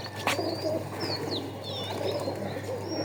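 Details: Pigeon cooing forms a steady low, rolling hum. Sliding whistles from other small birds repeat overhead, and one sharp knock sounds early on.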